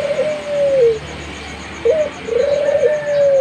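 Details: Zebra dove, a young bird singing actively, giving two long, smooth, level coos with a short upward flick at the start of each, separated by a brief pause, against a quiet low background hum.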